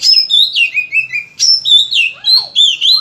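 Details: Oriental magpie-robin singing loudly and persistently with many filler phrases, a tutor to get other kacer singing: clear whistled tones stepping downward, then a fast run of rising and falling notes.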